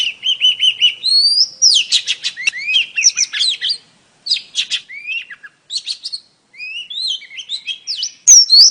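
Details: Calling female oriental magpie-robin luring a male: opens with a quick repeated whistled trill, then bursts of varied chirps and slurred whistles separated by short silences.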